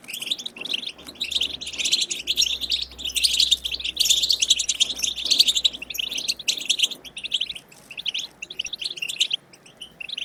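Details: European goldfinch wild-style chirping used to encourage goldfinches to sing: long, dense twittering of high tinkling and buzzy notes, busiest in the middle, tapering into sparser phrases toward the end.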